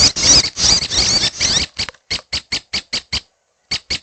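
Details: Young red-headed prenjak begging with a long, noisy high-pitched rasping burst that breaks into a run of short, evenly spaced scratchy chips, a brief pause, then two more chips.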